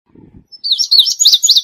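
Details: Indigo bunting singing a bright, rapid series of high slurred chirps in rising and falling loops, preceded by a brief low rustling sound; otherwise a quiet background.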